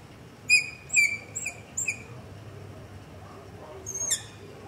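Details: Long-eared owl begging at night close to a house, recorded on a Zoom H5 and LOM Usi Pro: four sharp, high squeaky notes in quick succession, then a pause and one more screech, with soft low rumble beneath.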